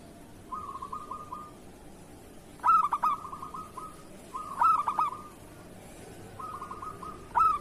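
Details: Local zebra dove singing in the kerot style for training other doves, with faint trilled purrs alternating with short clusters of two or three staccato coos, repeated four times.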